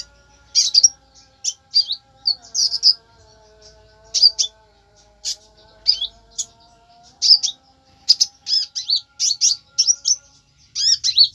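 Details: Konin giving rapid, aggressive bursts of shrill chirps, the notes bunched into groups with short gaps, while a low humming tone runs underneath.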